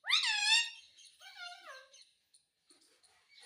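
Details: A talking Indian ringneck parakeet, a pet repeating mummy and mitthu in Hindi: a loud rising-then-falling harmonic syllable followed by a softer wavering one, then near silence with faint clicks.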